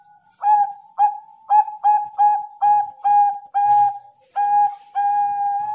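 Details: Slow, evenly spaced coos from a Bangkok-type zebra dove: short mellow notes about every half second that lengthen into sustained purring coos near the end, with light background clicks.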